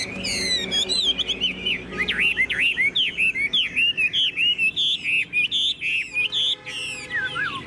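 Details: Chinese hwamei, tame bird in a hand-carried cage, singing with fine posture: clear whistled phrases in rapid regular bursts, then a long falling slurred note.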